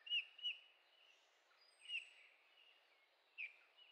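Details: Eurasian bullfinch in Heringhausen, Sauerland, Germany, recorded 15 August 2013: soft, short notes falling slightly in pitch, given irregularly, two close together at the start and then two more spaced apart, over a steady hiss of background noise.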